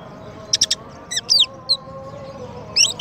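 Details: Champion Oriental magpie-robin used as master and teaser song for white-rumped shamas: a few sharp high chirps, a short burst of three notes, then rising twisted whistles and a final trill, over a faint steady low hum.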